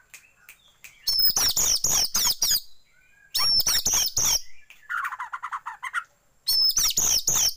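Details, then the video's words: Oriental magpie-robin, used as a lure call to make a magpie-robin open its tail, singing loud bursts of varied, rich whistles and chattering notes in four phrases, one dropping to a lower harsh warble, with short pauses between. "pancingan kacer buka ekor"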